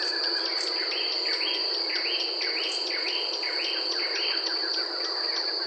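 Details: Brazilian Barred Antshrike song: repeated hooked, nasal notes in an even rolling series, partly masked by a constant shrill insect buzz.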